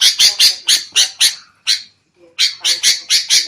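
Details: Agitated sooty-headed bulbul calls on a trapping lure recording: rapid grating squawks in a run, a pause of nearly a second, then another quick burst of harsh notes.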